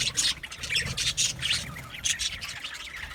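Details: Colony of budgerigars in an aviary, chirping: soft overlapping scratchy chatter with a few brighter squawks, fairly quiet and dense throughout.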